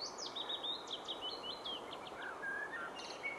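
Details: Mixed singer on 16 June 2015, looking more willow warbler than chiffchaff, giving willow warbler song: a sweet, high phrase of quick slurred notes drifting downward over two seconds, then thinner separate notes over soft hiss.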